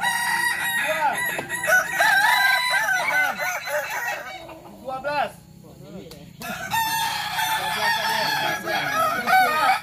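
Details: Several Kukuak Balenggek cockerels crow at once during a practice contest in Sawah Lunto. Their long, wavering crows rise and fall in terraced steps. A short lull near six seconds gives way to renewed overlapping crowing.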